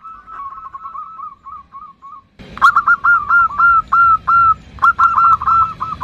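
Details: Nutut call of a female zebra dove summoning the male: a quiet run of quick wavering notes, then after a click a louder series of curled notes in groups of three to five, with background rumble.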